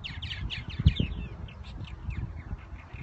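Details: Purple martins in spring at Irving Park and Lake Michigan, Chicago: a dense run of quick, high, downward-slurred chirps and gurgling notes overlapping throughout, over low rumbling wind or handling noise.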